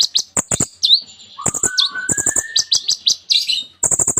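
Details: Olive-backed Sunbird (kolibri ninja) singing energetically, its song filled with mimicked phrases: high thin notes and upswept whistles, runs of sharp broadband clicking ticks, and a low drawn-out rising whistle through the middle.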